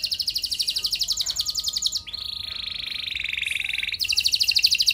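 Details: Canary song to prompt other canaries into singing: continuous rapid rattling trills, a drop to a lower sustained trill in the middle, then a return to a higher pulsed trill.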